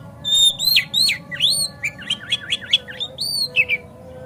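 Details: White-rumped shama song meant to make a kacer sing hard and open its tail: a loud, continuous run of whistled slurs and quick repeated rising notes, varied and rich, with a faint hum beneath.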